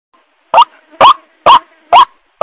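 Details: Lure call of a white-breasted waterhen, played to draw in wild birds: loud, nasal, rising croaks spaced about half a second apart, five in a row.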